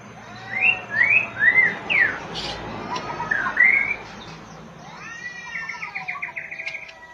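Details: Oriental magpie-robin with several loud upward-sweeping whistles about half a second apart, a short gap, then a soft, fast series of high twittering notes over a steady background hiss.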